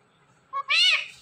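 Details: Talking pet Indian ringneck parrot saying a two-part word: a crisp short opening syllable, a tiny gap, then a loud, nasal, harmonic-rich syllable that swells and fades. Nothing else audible.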